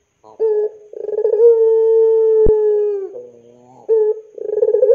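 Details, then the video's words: A cooing puter pelung dove serves as a lure for young doves. A short stuttered note, then a long steady low coo with a sharp click partway through, followed by a soft murmur and renewed pulsed notes. "SUARA PANCINGAN BURUNG PUTER PELUNG GACOR COCOK UNTUK MASTERAN PUTER MUDA"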